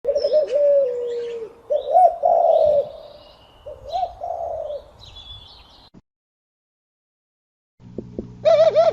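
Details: Male pigeons during mating, giving throaty wavering coos and a drawn-out purr over the first six seconds, then a pause, with a steady low hum and a short burst of bubbling coos at the end.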